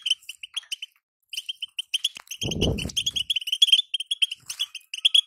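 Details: Batbata call of a female European goldfinch, used to set a caged male singing: strings of crisp, high repeated chip notes, a short pause, then a loud low rumbling knock before the chipping resumes.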